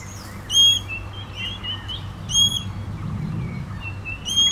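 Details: Common green magpie calling with loud, clear, ringing whistled notes, each short and slightly rising, repeated about every two seconds, with softer bird chirps and a faint low hum behind.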